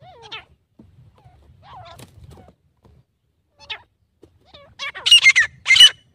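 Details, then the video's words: Grey francolin gives a few thin, squeaky notes, then two loud, harsh, grating bursts in quick succession near the end. "तीतर की आवाज़ - Teetar Ki Awaaz: || "Grey Francolin Sound"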